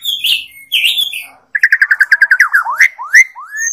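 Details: Asian pied starling (jalak suren) with squeaky whistles, then a fast train of about a dozen clipped repeated notes and several sweeping upslurred whistles.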